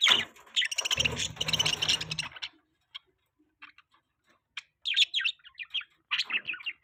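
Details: Morning chirping of budgies, a dense burst of twittering and chirps at first, then scattered short tweets and warbled notes after a near-silent gap, with a brief low buzzing noise early on.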